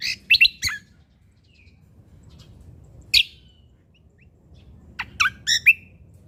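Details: Sumatran leafbird (Lombok cucak kombo) in full voice with natural-filled 'isian alam' phrasing: a burst of high chirps, a long quiet gap, one sharp call, then a final flurry of whistled and warbled notes over faint background noise.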